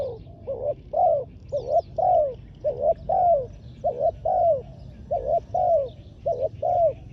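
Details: Spotted dove used as a ground decoy to lure wild doves, giving low mellow coos in quick doubled phrases, a short clipped note then a longer downslurred croo, repeated steadily; faint high chirps of other birds and a low background hum.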